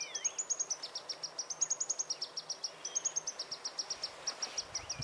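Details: Green-tailed sunbird (Aethopyga nipalensis), a bird of open mountain woods with moss-covered trees at 1825–3350 m, gives a fast, steady series of very high, thin ticking notes, about six a second, with faint sliding whistles from another bird behind.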